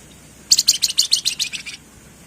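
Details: Wergan jawa, or Javan fulvetta, singing in the 'ngebren' style: a fast, even series of about eleven high, scratchy chattering notes spread over a bit more than a second, against a quiet background.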